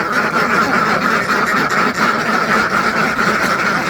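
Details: Hundreds of farmed ducks produce a short burst of dense, overlapping quacking, one slight lull near the middle, the chorus otherwise constant and loud.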